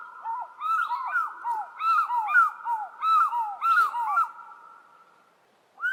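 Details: African fish eagle of southern Africa: loud, ringing yelps in quick overlapping bursts for about four seconds, slurring down then up, over a steady high drone.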